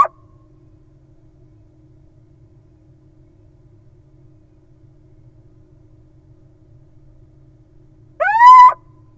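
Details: Little owl nestlings in a wild nest box, found two days old on June 5: long quiet stretch, then a single loud arched chirp with rich harmonics near the end, plus a faint click at the start.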